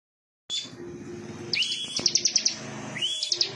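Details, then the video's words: A bar-winged prinia (ciblek), described as a semi-active singer, sings a thin whistled note, then upslurred notes and a quick run of six sharp, high chips, over a faint low hum. "suara burung ciblek semi gacor"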